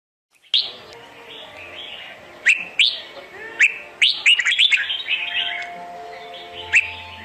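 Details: Red-whiskered bulbul song used as a trapping decoy and for training birds to sing in competition: bright warbling phrases with sharp rising notes, bursts spaced irregularly, steady background hum.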